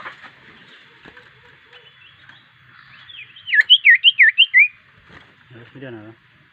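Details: Common iora, a lively singer suited for use as a lure bird, gives a quick run of six clear, looping whistled notes rising and falling, after faint background chatter and a few low notes near the end.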